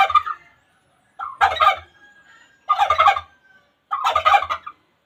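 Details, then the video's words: Wild junglefowl crowing: four short, hoarse, clipped crows, each under a second, separated by gaps of about a second, in otherwise quiet surroundings. "suab qaib qus qua zoo tiag2 li"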